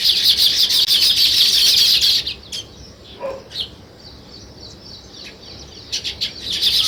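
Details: Flock of sparrows chirping in a loud continuous high twitter for two seconds, then near silence with only scattered faint chirps before the chorus swells again at the end.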